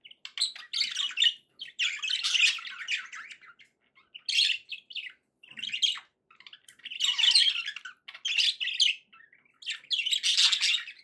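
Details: Happy budgerigar sounds: bursts of scratchy warbling chatter lasting about a second each, separated by short gaps, mixed with squeaky chirps and clicks.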